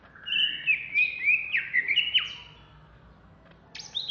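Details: Caged greater green leafbird, Alas Purwo type, from Jatiasih, Bekasi, singing in an agitated state: a run of bright, fast slurred whistles and chattering notes for two seconds, quiet, then a sharp high note starting again.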